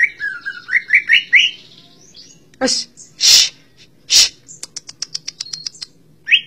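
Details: Greater green leafbird, called cucak ijo, gives rising slurred whistles, loud harsh rasps and a fast high ticking run, over a low background hum with faint voices.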